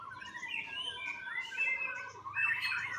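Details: Young white-rumped shama bred on a bird farm in Bali, Indonesia, singing a run of clear whistled phrases that slide up and down, with a steady low rippling note beneath, against quiet background hiss.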